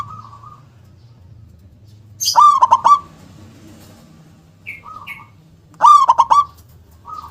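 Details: Local Indonesian zebra dove (perkutut lokal) singing loud, forceful phrases with a strong 'kung' accent: a soft cooing note, then a burst of rapid pulsed coos twice, with quieter single coos between.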